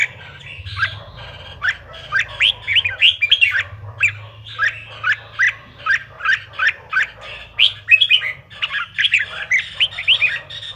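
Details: Provocation song of the Red-whiskered bulbul: sharp, upward-sweeping chirps repeated in lively series roughly twice a second, some clustered into quick runs, above a low droning hum.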